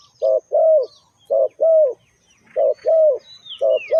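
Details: Low, rounded coos of a spotted dove, a call used to lure wild birds, each pair a clipped note then a longer slurred coo, repeated steadily with a sharp high whistle from another bird near the end.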